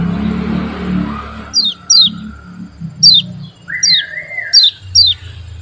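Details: An oriental white-eye's clear high downslurred whistles start after a noisy opening second and repeat every half second or so, with a wavering lower buzzy note near the end.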